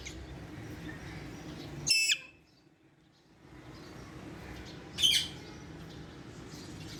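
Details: Tame adult female Alexandrine parakeet, about three and a half years old, kept in Karachi, Pakistan: two sharp, harmonic whistled squawks roughly three seconds apart, each dropping in pitch at the end, over a low steady room hum.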